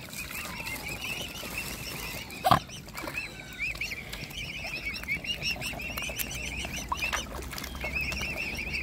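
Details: Hungry mute swan cygnets in a family group, fed by hand, keep up steady high arched peeps throughout. A sharp knock or splash breaks in midway, and a low background rumble runs beneath.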